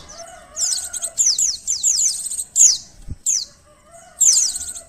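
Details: Oriental white-eye material for a temperament and arousal test: bursts of rapid, high, descending twittered notes, a soft lower warble in the pauses, and one dull thump midway.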